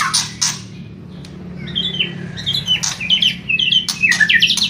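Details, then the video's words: White-rumped shama song of kretekan and whistling: opening harsh bursts, a pause, then quick chattering whistled notes building into rapid varied phrases over a low background hum. "MURAI BATU... KRETEKAN & SIULAN"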